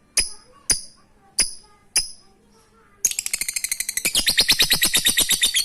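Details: Lovebird, recorded to encourage quiet lovebirds to sing: four evenly spaced sharp chirps, then an accelerating run of rapid, shrill chattering notes in the 'ngekek receh' style.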